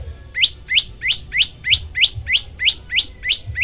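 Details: Repeated rising chirps of an olive-backed tailorbird, used to make other birds join in singing; each note sweeps steeply upward, delivered in a very regular run of about three per second.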